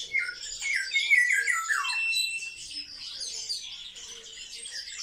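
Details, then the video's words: A group of pet sparrows, social birds kept in captivity, give loud squawking chirps and a run of falling notes early on, then a softer continuous twittering chatter, with a faint low hum. "Воробьи - Sparrow"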